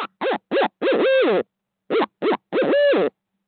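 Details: At 5:45am CST in Midtown Tulsa, 2020, a second barred owl arrives on the live feed: short arched hoots followed by a longer quavering hoot, the pattern given twice, rich harmonic tones, quiet background.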